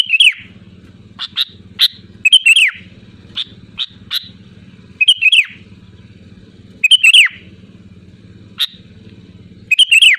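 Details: A loud, spirited sooty-headed bulbul calls out to rivals as a lure. Short, rollicking whistled phrases repeat every few seconds, mixed with crisp single chips, while a buzzing low hum switches on and off.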